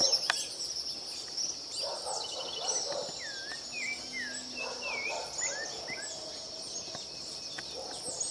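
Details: Rufous-bellied thrush in song, giving mellow looping whistles and short warbled notes in an irregular flowing series, backed by a constant shrill insect hum and faint other bird notes.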